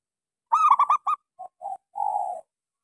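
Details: Small-voiced local zebra dove singing a lure song meant to prompt quiet doves to sing: a rapid run of four bright stuttering notes, two short low coos, then one long drawn-out coo, in a quiet setting.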